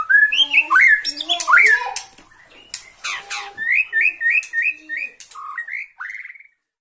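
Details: Agitated at seeing a rival, a Bornean white-rumped shama sings steadily in one place: swooping whistles and harsh chatter, then a run of five short, evenly repeated whistled notes and a final upslurred whistle.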